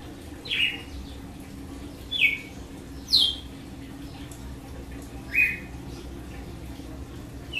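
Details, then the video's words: Red-cowled cardinal singing açoite: four sharp, high downward-sweeping whistled notes, unevenly spaced and separated by quiet gaps. "AÇOITE DE GALO DE CAMPINA"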